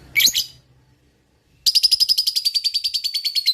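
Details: Lovebird in fighting mood: one sharp shriek, a silent gap, then fast raspy ngekek chatter notes repeated steadily to the end.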